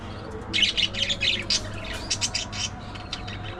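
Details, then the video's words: Budgie chatter opening with a run of rapid, rasping warbled squawks, followed by thinner high chirps and clicks that fade toward the end. "Hilarious Budgie Moments: Gossip"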